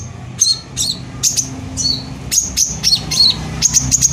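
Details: Brown-throated sunbird giving spaced, very high sharp chirps, some with a lower buzzy tail, in short clusters roughly every half second; a bait song meant to provoke other sunbirds into singing.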